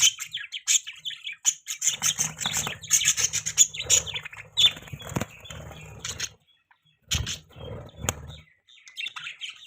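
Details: Pet budgerigars making mating chirps: busy high twittering chatter with sharp squeaks and warbles in irregular bursts, mixed with low scratching and rubbing noises, and a brief pause near seven seconds.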